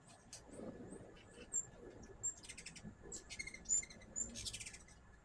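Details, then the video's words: Hummingbirds at a backyard feeder give thin high chips followed by several buzzy, stuttering twitter bursts, each under half a second, over faint low background noise. "My first hummingbird video with natural sound."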